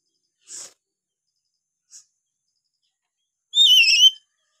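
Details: A Black-capped Lory in Papua calls naturally, giving one loud, rich, wavering whistle lasting under a second after two faint, high, brief chips.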